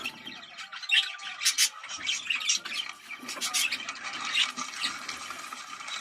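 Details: Budgerigar courtship chatter for stimulating breeding, scratchy warbling and buzzing squawks in uneven bursts, with a few sharp high chirps standing out.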